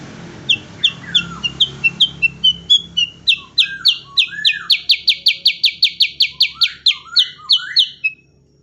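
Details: Energetic cucak kurincang song meant as training material for caged songbirds, a long fast series of bright repeated chirps with lower slurred whistles beneath, over faint background hum.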